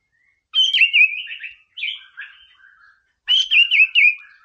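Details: Training song of a white-rumped shama, meant to provoke rival birds: three bursts of loud, clear, warbling whistled phrases separated by short silences. The voice drops to lower buzzy notes between bursts.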